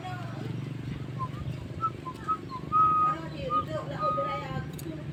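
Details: Starling (jalak) singing in lively 'gacor' form for a masteran training recording: clear, pure whistled notes, some held flat and others short, spaced irregularly over a steady low droning hum.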